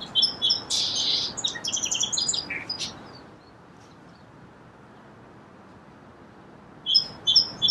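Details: Song sparrow song: two crisp high introductory notes, then a jumbled burst of buzzy and chipping notes lasting about three seconds, a long quiet pause, and the clear opening notes of the next song at the end.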